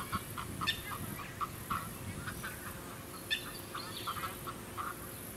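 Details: Pacific black duck at a small artificial lake on the Sunshine Coast, Queensland, in December, giving short repeated nasal quacks in a loose series, with constant high hiss and suburban background noise.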